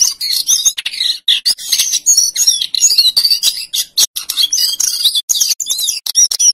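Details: Vigorous male lesser shortwing song in rolling, fluting style, played to train other songbirds: rapid, high, tumbling warbles mixing sweet slurred whistles with harsher notes, delivered in long phrases with tiny gaps.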